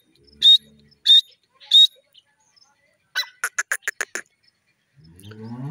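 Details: Francolin (Irani teetar, a partridge) calling: three loud, harsh, high calls about half a second apart, then a quick run of six clipped notes, with a low rumbling noise rising at the end.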